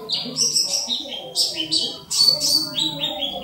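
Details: Oriental white-eye (pleci dakun) song for training other birds: bursts of high, thin, descending chirps in fast runs, pausing briefly near the two-second mark, over a faint low background murmur.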